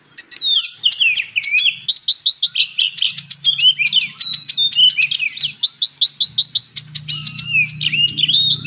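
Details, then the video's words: Kolibri Ninja (purple-throated sunbird) song mixed with kacer song as training master to rouse a caged kacer: continuous rapid high chattering twitters and sharp trilled phrases with short breaks, over a low steady hum. "MATERI KACER X KONIN (Kolibri Ninja) masteran ampuh untuk Kacer meningkatkan emosi"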